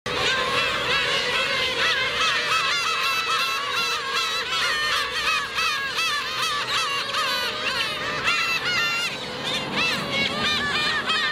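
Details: Black-tailed gulls, adults cruelly attacking a gull chick, filmed on a 4K camcorder: a dense chorus of many overlapping mewing, wavering cries that rise and fall without pause, giving a loud, continuous colony din.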